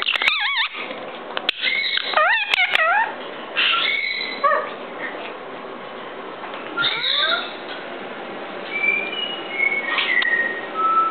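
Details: Rescued captive parrots indoors, including Moluccan cockatoos with a small conure or ring-necked parakeet, having a good time: loud harsh screams and rising-falling squawks in bursts, with whistled notes later and room noise.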